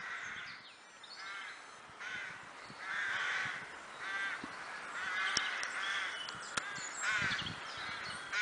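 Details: Crows in the Kloosterbos at Vaals give separate harsh, grating caws in short bursts every second or so, more spaced than a full chorus, with several sharp snaps or clicks between calls.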